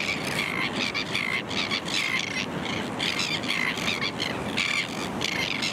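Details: Kelp gulls at a rocky shore reef in Boat Harbour Aquatic Reserve, Kurnell, NSW, Australia, in early September 2020, give harsh, nasal, repeated yelping calls, several each second, over a steady roar of wind and surf.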